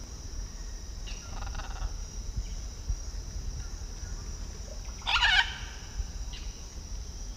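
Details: Blue-and-yellow macaw in Peru giving a single loud, harsh, raspy squawk midway, preceded by fainter grating notes, over a low steady background rumble.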